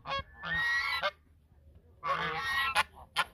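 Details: Two long, grating honks from geese singing a duet at the mouth of the Sosúa River, Dominican Republic, separated by a second of near silence, with short clipped notes after the second call.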